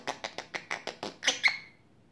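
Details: Pet African grey parrot, just over a year old, chatting with its owner: a quick run of about eight dry clicking pulses, evenly spaced, ending in two louder, short whistled squawk notes that fade out.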